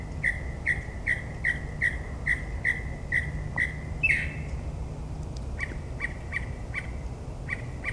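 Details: Midnight mockingbird song from New Jersey suburbs, mimicry of other birds: about nine evenly spaced lower whistled chips, a brief higher slurred note, then quieter scattered chips, with steady low background rumble.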